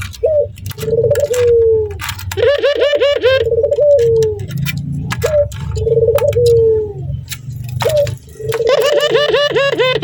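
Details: Breeding male turtle dove cooing while seeing a female: low drawn coos broken by fast laughing trills, repeated in bouts, over a steady low rumble and occasional sharp clicks.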